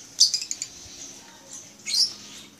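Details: African lovebirds with eye rings kept in a small aviary in the Philippines, recorded May 17, 2015: two bursts of shrill, high chattering chirps, one at the start and one near the end, with quiet pauses between.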